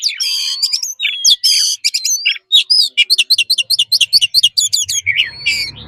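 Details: Caged-bird training song of an Oriental magpie-robin in forest style: buzzy rasping notes give way to a fast run of repeated sharp chirps, ending in a brief low hum.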